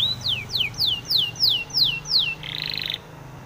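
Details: Spanish timbrado canary singing for canary training. Seven slow, loud downward-swooping whistles come about every third of a second, then a short buzzy rattle closes the phrase.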